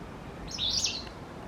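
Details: White Wagtail on its territory in November, as the area grows livelier: a single short, sharp high chirp of clustered notes, with a quiet steady background.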